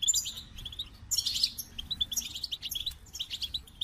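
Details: High, sparkling goldfinch twitters: quick, separate chirps mixed with short trilled flourishes, fairly soft and evenly paced.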